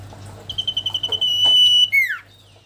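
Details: Sooty-headed bulbul calling a rival: a long, level, pure whistle held for over a second, then a sharp downward slur. A faint low hum runs underneath.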